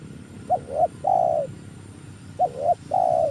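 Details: Newly trained spotted dove decoy calling for luring: two phrases, each a short note, a wavering middle note and a long steady coo, separated by about a second of quiet hum.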